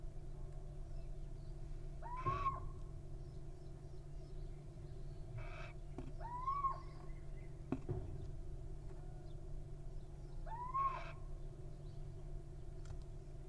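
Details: Wild little owl nestlings at a nest: three rising, slightly hoarse calls with a bent upward sweep, spaced several seconds apart over a steady low hum, with occasional soft clicks and scratches.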